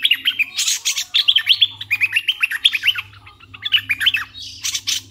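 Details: Red-eyed bulbul decoy bird in strong song: rapid bubbly chattering of short warbled notes, many dipping and rising, run together almost without pause, with a steady low hum beneath.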